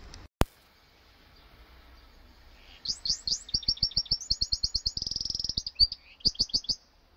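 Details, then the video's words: A canary × goldfinch hybrid practising its song sings a fast, bright run of high twittering notes, then rolls into a rapid buzzy trill before ending with a few sharp chips. "canario x jilguero"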